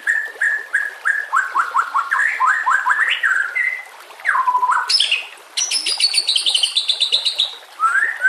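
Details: White-rumped shama, 'masteran nembak kasar' for training singing birds: a fast sequence of repeated downslurred notes, a deep swooping whistle, then a dense high buzzy rattle. A rising whistle ends the phrase.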